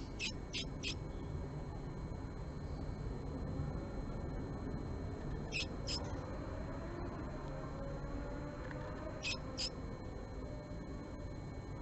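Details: Japanese tit at a nest box holding a male, where a female came three times one morning, 20 March 2022, with squabbling. Short, sharp, high notes in tight clusters of two or three, recurring roughly every four seconds over steady low rumble.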